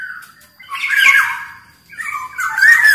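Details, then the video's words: Black-naped oriole from Sumbawa giving short harsh nasal squawks with whistled edges, two loud bursts about a second apart, as lure sound for caged orioles. "Burung kepodang gacor SUARA cocok buat PANCINGAN MASTERAN SUARA PIKAT TERAPI podang agar cepat gacor"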